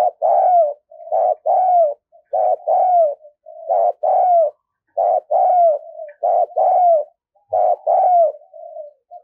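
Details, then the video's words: Decoy spotted dove calling loudly and steadily: a repeated low cooing phrase of paired, slightly falling notes linked by softer purring coos, cycling about once every second or so. "Chim Cu Gáy Mồi Cực Sung Dùng Kích Bổi Mới"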